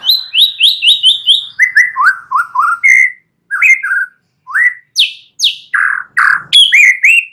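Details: Young forest white-rumped shama singing, used to provoke a reply from other shamas: bright whistled notes repeated rapidly in short series, first high and even, then lower slurred phrases, with brief pauses between bursts.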